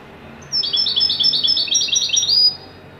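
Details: A Moroccan goldfinch sings a fast, tinkling run of twittering notes for about two seconds, high and liquid with quick trills, over faint background hiss.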